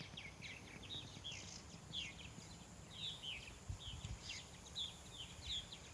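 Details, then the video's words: Swallow singing at Cedar Point, North Carolina: a quick, continuous twitter of short chirps and squeaky notes, several each second, over breezy low background noise. "Cedar Point, North Carolina, Swallow Song"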